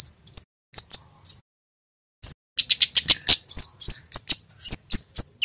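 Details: Full 'cit keres' song of a male Javanese kemade: a few isolated high, thin chirps, a pause of about a second, then a dense string of sharp ticks and slurred whistled notes repeated several times a second.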